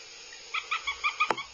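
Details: Aggressive Northern goshawk chicks at the nest, filmed by a live nest camera in Abernethy, Scotland, in 2022: short harmonic begging notes repeated about every fifth of a second after a quiet start, with one sharp click.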